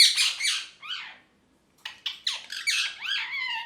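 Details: A happy parrot bursts into rough, screechy squawks, goes quiet for a moment, then gives a quick run of sharp chirps ending in a long wavering, whining call.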